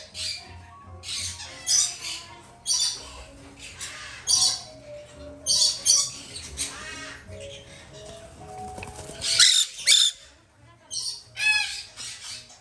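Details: Two young female black-headed caique chicks, still hand-fed three times a day, give harsh, raspy squawks in short bursts about every second or two, with soft music in the background.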